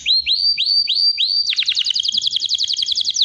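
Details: Canary singing: five rising whistled upslurs repeated evenly, then an abrupt switch to a fast, bright, high trill of closely spaced notes that continues to the end.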